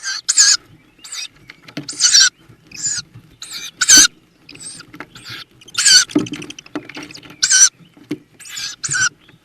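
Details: Tawny owl at a nest box in the Börzsöny mountains near Szokolya, Hungary, during spring 2026 breeding with chicks, giving harsh, hissing rasps in short uneven bursts, about a dozen in under ten seconds, over faint low rustling.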